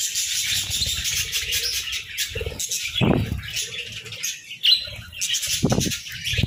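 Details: Budgerigars chirping in the morning, a dense mix of high warbling chatter and short chirps from several birds, with low thumps and wing flutter sounds underneath.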